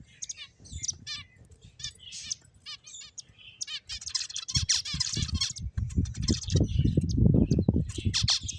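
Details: Finches chirping: quick bursts of high, trilled tweets in the first half, then busy overlapping chirps over steady low thumping and rustling noise toward the end.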